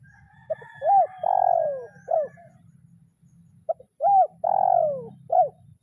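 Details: Spotted dove calling a rival in the kuk 0-1 lure style. Two clear phrases: a short note, a rising coo, a long falling drawn coo, then a clipped final note. Faint low rumble beneath.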